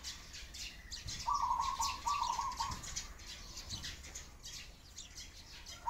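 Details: Pigeon giving two drawn-out, squeaky whistled notes back to back, then silence, over steady hiss with faint sparrow chirps in the background.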